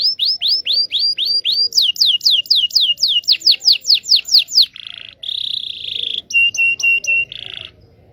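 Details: Indonesian local canary singing a lure song for silent or young canaries learning to sing: a run of about a dozen rising whistled notes, then fast downward sweeps, followed by buzzy notes and a short clipped repeated phrase.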